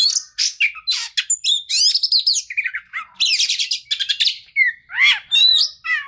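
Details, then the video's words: Oriental magpie-robin singing, offered as a lure to make a stressed bird respond: loud rasping bursts alternate with sweeping whistled slurs and quick chattering notes, almost without pause. "PANCINGAN TERAMPUH KACER STRES"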